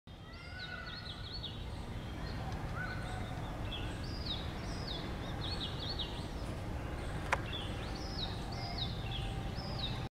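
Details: A yellow-footed green pigeon, probably male, on a tree outside a gate at IIT Kanpur on a Saturday morning, 2 April, while nest-building, gives clear musical whistled phrases that rise and fall in bursts over low rumbling wind.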